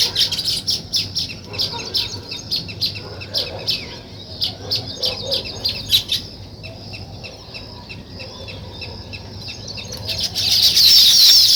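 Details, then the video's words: Weaver birds at work building a nest: rapid, clicking high chirps repeated about three times a second, thinning out midway, then a loud burst of sizzling chatter near the end, with rustling and wing flaps. "Natural Sparrow Chirping Sounds | Weaver Birds Building Nest"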